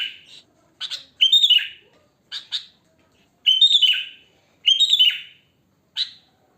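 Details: Natural wild song of a sooty-headed bulbul: short, rich, gurgling whistled phrases that dip at the end, each alternating with a brief sharp note, repeated about every second against silence.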